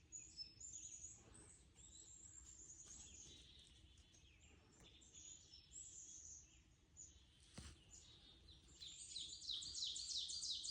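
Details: Distant birds singing in high, thin twittering phrases that overlap continuously, ending with a denser run of rapid chirps, with a soft low background rumble throughout.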